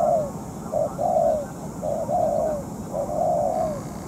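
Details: Spotted dove decoy in moult, used for trapping wild doves; soft, hollow coo phrases, a brief note followed by a longer drawn-out one, three phrases over steady hiss.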